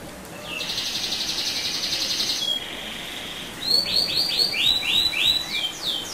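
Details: Canary rolling song played to provoke other canaries: a long buzzy high roll, a brief lower tone, then a loud series of rapid falling whistled sweeps with a final trill.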